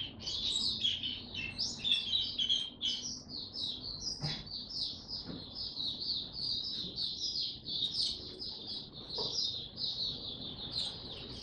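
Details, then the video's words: Oriental white-eye in tiong aw song, 25 January 2022; rapid high-pitched chattering warble running on without pause, with a few faint clicks and knocks in the background. "Mata Puteh Hercules V2 buka tiong aw sing"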